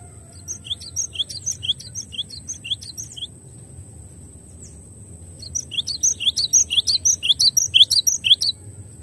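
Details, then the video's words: Master recording of a glatik batu, the cinereous tit: one phrase of quick, high, tinny chirps, a pause, then a longer and louder chirping run, with a faint background hiss. "MASTERAN JERNIH GLATIK BATU HANDAL"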